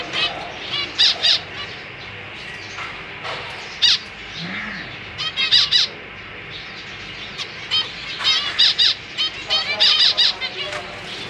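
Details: Zebra finches in a cage, a family of parents with three juveniles and three newborn chicks, recorded 4 May 2023 while parents fed young; scattered nasal, harmonic beeping calls in short bursts, several birds, with quiet pauses between.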